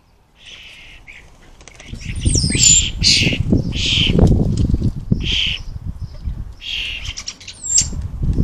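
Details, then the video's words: Noisy common starling fledglings in the 2023 fledgling season giving rough, buzzy chatter in rapid bursts, mixed with a few thin, sliding whistles and low rumbling and flapping sounds underneath. "Fledgling season 2023 is officially underway, I had forgotten just how noisy they are"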